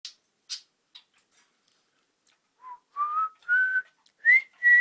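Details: Cockatiel practising the tune "Kotori no Uta" (Little Bird's Song): after a few soft clicks, clear whistled notes step upward in pitch, each held briefly, ending on a longer steady tone.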